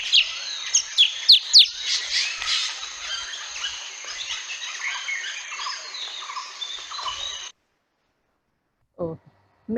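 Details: Drongo, likened to a musician, singing a varied medley of sharp whistles, chatters and buzzy notes in quick succession, then falling silent before a brief low sound.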